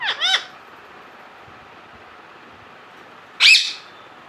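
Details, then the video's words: Talking parrot producing two quick loud harmonic arched squawks at the start, then a quiet pause over a low hum, followed by one harsher rising-falling squawk near the end. "talking parrot"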